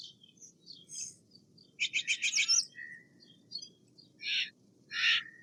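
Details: Steller's jay giving a burst of about six rapid, harsh, evenly pulsed notes, followed later by two short raspy screeches; faint chirps and soft high notes scattered between, over a low steady background rumble.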